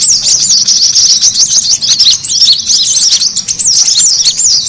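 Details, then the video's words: Brown-throated sunbird calls used as a lure to attract birds: excited, high zigzag chirps and sharp rising-falling notes crowd together continuously, with a few louder squeaks standing out. "SUARA PIKAT KORLAP RIBUT"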